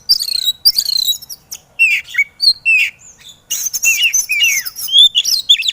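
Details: Energetic white-rumped shama song from a training recording for kacer birds that rarely sing: high chattering notes and downslurred whistles, a brief pause, then dense scratchy warbling with rising whistles.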